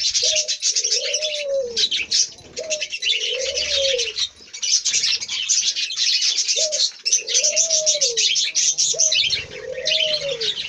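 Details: A captive colony of about 30 pairs of budgerigars keeps up a constant, high, scratchy chatter of chirps and warbles, with pigeons cooing below.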